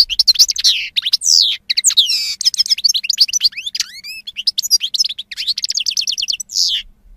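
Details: Goldfinch song recorded in 2016: a loud, continuous stream of rapid tinkling twitters, looping whistled notes and fast trills, closing with a harsh buzzy phrase, in clean, quiet surroundings.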